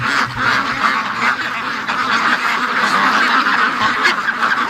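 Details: Many free-range domestic ducks on their morning rush, a thick unbroken wall of raspy quacks from the crowded flock, steady in loudness throughout.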